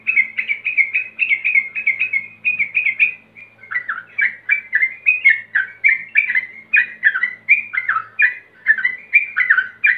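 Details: Male yellow-vented bulbul calling to a rival, pouring out a fast, bubbly run of chirpy, gurgling notes without pause for ten seconds, over a faint low hum.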